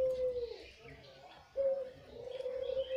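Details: White Barbary dove with red eyes, kept as a lure, giving steady, level coos of even pitch. A long coo fades out, then after a brief pause a fresh, loud drawn-out coo follows.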